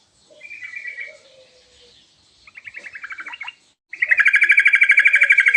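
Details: Lively sooty-headed bulbul with a rich, varied song meant to prompt replies. A soft warble and a low whistle are followed by a pulsing phrase, then a loud, rapid, steady buzzing trill.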